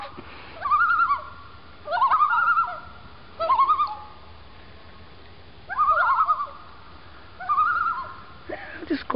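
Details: On a Maine lake, two wild common loons gliding by give repeated quavering tremolo calls, five laughing bursts spaced one to two seconds apart over calm background.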